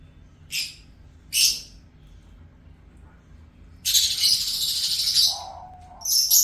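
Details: Pet lovebird singing: two short, scratchy high chirps a second apart, a pause, then a rasping chatter of about one and a half seconds, a lower brief whistle-like tone, and a final sharp chirp.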